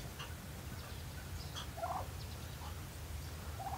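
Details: A bronze turkey on a farm at sunrise, among noisy ducks, gives brief, rapid, warbling gobbles midway through and again at the end, over a steady low rumble.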